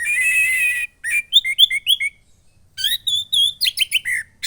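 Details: Caged red-headed thrush (orange-headed thrush), a young moulted bird from Klaten, Central Java, singing loudly with a rich mix of phrases; a buzzy trill opens, followed by quick repeated whistled slurs and mimicked chirps.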